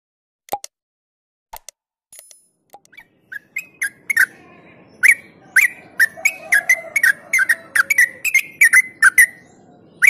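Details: Yellow-vented bulbul in continuous ropel song, used as a lure to stimulate other birds: scattered sharp clicks build into a fast series of short whistled notes slurring around the same pitch, over a low rumbling background.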